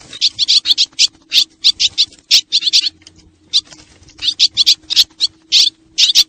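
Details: Swallows from Xieng Khouang, used as a lure sound: rapid bursts of high, sharp twittering chirps in quick clusters, briefly pausing near the middle, with a faint low steady hum underneath.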